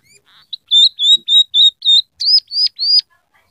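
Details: Scaly-breasted munia singing actively, a training song filled with imitated canary, sparrow and red siskin phrases: a run of clear, short whistled notes at a steady pitch, then three higher rising-and-falling slurred notes, with no other sounds.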